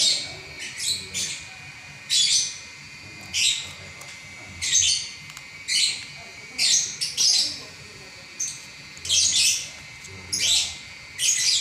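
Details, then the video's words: Champion lovebird in non-stop song lasting eleven minutes, pouring out steady runs of shrill, buzzy chatter, each burst short and bright and repeated about once a second. "Burung LoveBird Juara Nya Ngacor 11 Menit Enggak Berhenti"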